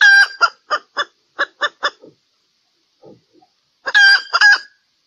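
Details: Hen calling during mating in valentine season: a quick series of seven short, harsh clucks, a brief pause with faint soft sounds, then two loud, drawn-out squawking clucks.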